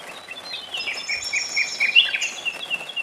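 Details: Nightingale singing in a forest during summer rain: a varied run of high whistled and warbled phrases with quick trills and slurred notes, over soft patter of rain and a single low thump.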